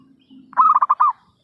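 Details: Zebra dove heard on a trapping lure recording: a single quick, stuttering phrase of mellow pulsed coos ending in a longer note, preceded by a low hum.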